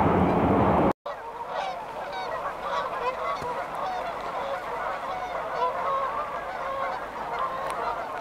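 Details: Geese leaving their resting place by the river in Calgary, Alberta, for warmer climates. A burst of loud sound gives way after a short cut to a steady wash of overlapping honks.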